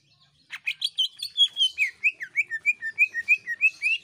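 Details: Greater green leafbird in jeritan shrieking song used to stimulate other birds: a harsh burst, then a steady string of about a dozen bright whistled slurs, roughly four per second.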